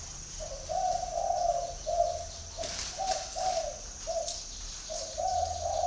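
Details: Spotted dove at Ba Vì, Hanoi, Vietnam: a loud cooing phrase of drawn-out, slightly rising notes, then shorter coos and a final long note, with a soft background whine and a brief rustle.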